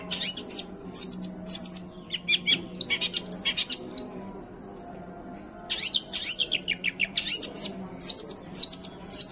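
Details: Long-tailed shrike song, unedited and meant to rouse silent or stressed shrikes: fast bursts of sharp chips and twittered whistles in two phrases separated by a short pause.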